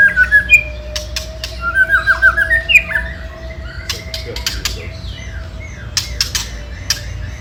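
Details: White-rumped shama song meant to provoke rival birds: rapid chattering phrases early, then scattered whistles and clicks, with a steady low tone running underneath.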